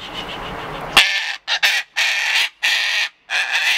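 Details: A cockatoo throwing a tantrum, letting out harsh, raucous screeches in about five drawn-out bursts, each roughly half a second long, after a second of low background rumble.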